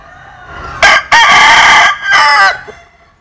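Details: Cock crowing, Vietnamese or American Sil breed: a short opening note, then a long strident sustained crow, then a final falling syllable, all loud and harmonic against a quiet background.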